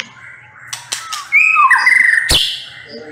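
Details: Murai batu, the white-rumped shama, starts quietly with faint notes, then gives a loud burst of clear whistles that step and slide downward, ending with a sharp crack.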